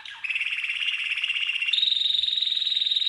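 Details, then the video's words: Trained song of a red canary, with a steady rapid trill held at one pitch that jumps abruptly to a higher, thinner rattling trill. "The Best Red CANARY Training Song"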